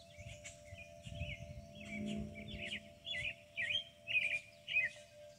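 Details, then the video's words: Rural Kentucky birdsong near a hackberry tree: short sweet warbled phrases repeated about every half second, growing louder toward the end, over a sustained wind chime tone and soft wind rumble. "birds and wind chimes at Meadowstone"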